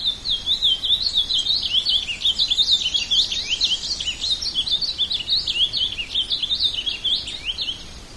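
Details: Ultramarine grosbeak delivering an unbroken stream of quick, zigzagging high whistles, bright and slurred, fading slightly toward the end over quiet background hiss.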